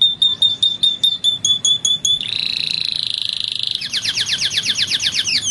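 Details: Belgian canary song meant for tutoring young canaries: evenly spaced high pure notes, then a sustained buzzy rolling trill, then a rapid series of quick rising sweeps.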